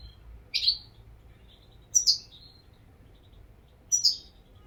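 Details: European goldfinch: three separate crisp, descending chirped notes, each doubled, spaced roughly two seconds apart, with silence between them.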